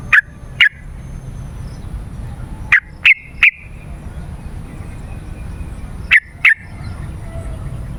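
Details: Yellow-vented bulbul lure for calling wild birds: loud single and paired sharp notes spaced a few seconds apart, with steady low background noise.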